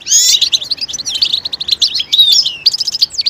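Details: Mating-readiness twitter of a European goldfinch, meant to push males to sing: a dense, fast run of bright, slurred chirps and tinkling notes with barely a pause, over a clean, quiet background.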